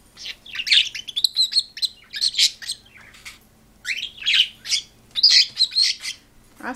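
A parakeet and a cockatiel squabble in bursts of shrill, scratchy chirps and harsh squawks.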